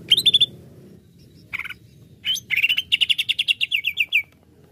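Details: Greater green leafbird, song meant to excite other leafbirds: a brief bright trill, a lone buzzy note, then a long accelerating string of sharp, downslurred chirps fading at the end.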